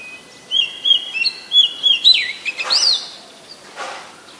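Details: Oriental magpie-robin, a very common resident, recorded on 7 January 2021 in Ubon Ratchathani, Thailand, with a Nikon P1000: clear whistled notes in a steady series, rising slightly, ending in a sweeping upward whistle and softer chirps.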